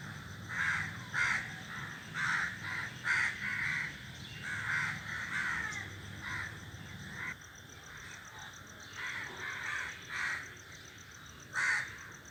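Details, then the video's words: A flock of crows sitting in a tree keeps up noisy cawing: frequent loud rasping caws in irregular clusters, some overlapping, with a quieter pause midway and one strong caw near the end. "A flock of crows sitting on the tree is making noise"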